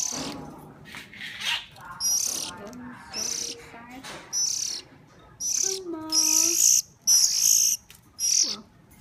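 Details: Hungry bird, hand-fed, calling in rapid, irregular harsh high bursts that grow louder and more insistent toward the end, with faint lower tonal sounds mixed in underneath.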